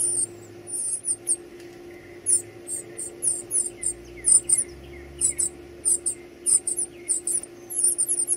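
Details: Feeding of young birds brings rapid, high-pitched squeaky begging in uneven bursts, with a few softer lower chirps, some low thumping and a steady hum.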